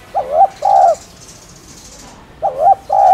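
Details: Spotted dove, the local cu đất, cooing in a stimulating style: two quick rounds of paired husky coos, each short rising-then-steady note, with light hiss behind.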